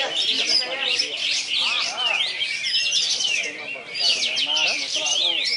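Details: White-eye singing at a bird contest field in Ketapang pours out dense, high-pitched warbling: fast rising and falling whistles and chirps in an unbroken stream, with faint voices underneath.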